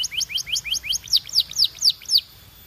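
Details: Belgian canary singing a run of bright, sweeping high notes, first quick rising chirps, then louder down-slurred whistles repeated about every quarter second, clean with no other sounds.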